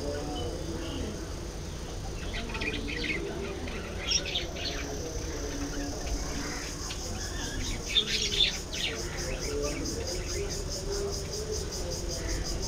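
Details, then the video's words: Budgerigars heard in scattered bursts of scratchy, high chirps and twitters separated by quieter gaps, set against a constant low hum and a rhythmic pulsing buzz. "budgies bird"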